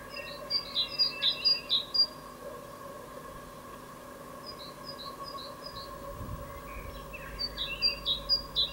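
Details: A great tit gives its evening song on 16 April 2022: a quick run of sharp two-note phrases, a pause of several seconds, then the same see-saw phrase resumes, with a low steady hum beneath.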